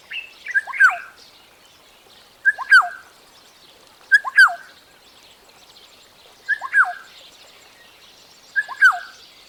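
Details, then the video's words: African Black-tailed Oriole (Oriolus percivali) giving five short, liquid whistled phrases, each a quick two-part fluty note, spaced about two seconds apart over a quiet background. "Black-tailed Oriole (Oriolus percivali)"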